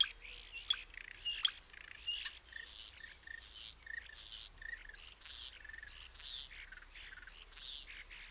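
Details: Common starling (Sturnus vulgaris) chattering steadily: a continuous jumble of scratchy, clicking and buzzy notes with short whistles mixed in, busy throughout without pauses.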